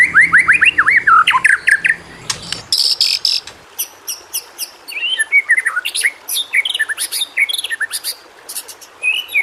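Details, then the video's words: Energetic white-rumped shama (murai batu) song meant to prompt lazy shamas to sing: a quick run of rising slurred notes followed by dense, varied chirps and high sharp clicks. "masteran burung murai. mewah awas! kesurupan"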